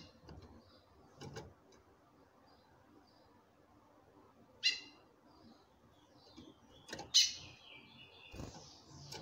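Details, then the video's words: Female chestnut-bellied seed finch calling to a male: sharp, harmonic-rich call notes near 4.7 and 7.2 seconds, with faint high whistled phrases from the answering male between them, over a quiet background. "FÊMEA DE CURIÓ CHAMANDO MUITO"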